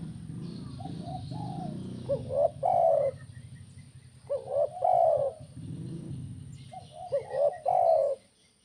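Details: Spotted dove song in tekukur kuk 1 style, used to set other doves singing: three phrases of soft notes building to a rising coo and a loud falling coo, over a low hum.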